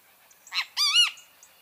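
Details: Great kiskadee (Pitangus sulphuratus) calling one strident phrase: a brief harsh note, then a longer, rich, nasal note that arches up and back down, with faint background chirps.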